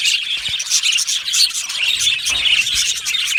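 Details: Yellow male budgerigars kept in an aviary, a busy chorus of high chirps and scratchy warbling, constant and overlapping with a few clear whistled notes.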